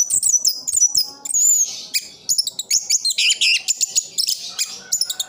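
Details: Caged orange-headed thrush in East Java singing very high, thin whistles and rapid scratchy twittering in a steady stream.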